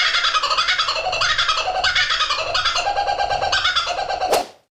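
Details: Kookaburra giving its loud laughing call, likened to human laughter: a continuous run of rolling, harsh cackling notes that rise and fall for over four seconds, then stop abruptly with a sharp click.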